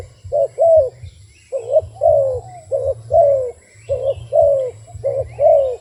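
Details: Mellow coos from a wild dove come in pairs, a clipped note then a longer arched one. The pairs repeat irregularly against a constant low-pitched hum.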